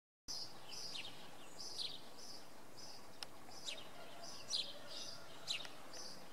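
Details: Common redpoll in fog on an evening at Oksywie, giving short, high, dry chattering notes in quick bursts, roughly every second, over a steady low background rumble.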